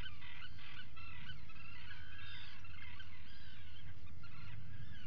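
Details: Breakfast-time Atlantic puffins inside a burrow, 28 June 2019 before five in the morning; a steady stream of overlapping harmonic calls with a few clicks over continuous low hum.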